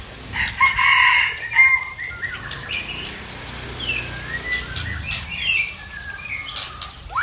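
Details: A Tangse shama from Aceh delivering odd mimicked fill-in phrases: a loud burst of whistles and chattering notes near the start, then scattered clicks, short swept notes and quieter twitters with small gaps.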